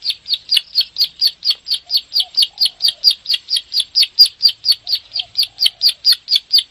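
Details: Bar-winged prinia delivering a long 'klik' song for training caged birds to sing: a continuous train of sharp high clicks, about four per second, slightly varying in loudness, with a few faint low notes behind.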